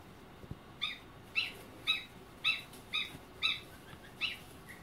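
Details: Newly hatched goslings peeping; about seven short, thin, rising peeps repeated roughly every half second over a faint background hiss.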